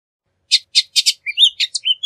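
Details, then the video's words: Bullock's oriole song phrase opening with four scratchy chattering notes, followed by quick whistled and slurred notes, some dipping in pitch, clean and isolated. "Bullock's Oriole Bird Singing, Sound, Calling, Chirp"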